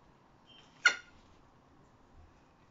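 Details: Striated caracara (Phalcoboenus australis), one of three kept birds, gives one short, harsh, rasping squawk during enrichment, in a quiet setting with faint low background hum.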